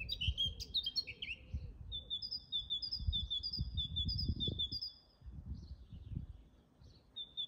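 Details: In a garden, a Eurasian blackcap opens with a rich, fluty warble lasting under two seconds, then a great tit repeats a bright two-note phrase over low rumbling background noise.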